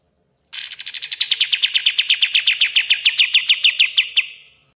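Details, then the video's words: Common iora song in the master style used to train songbirds: a rapid rattling trill of about thirty sharp, evenly spaced notes, starting high and sliding lower, lasting nearly four seconds against a quiet background. "MASTERAN KAPAS TEMBAK GACOR DOR"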